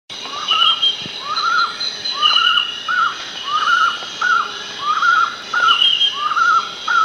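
Collared Puffbird giving a steady series of mid-pitched, upslurred-then-falling notes, about one to two per second, over a high insect drone and another faint whistling bird.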